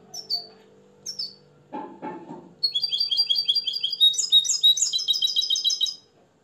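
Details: Hand-tutored European goldfinch from Morocco singing limpio style: scattered high notes and two rough bursts of noise over a low hum, then a long, rapid series of sparkling, high twitters.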